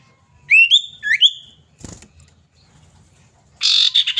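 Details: Common iora, a female calling the male, played as a lure: clear whistled notes sweeping sharply upward in two quick pairs, followed after a pause by a dry, buzzing rattle.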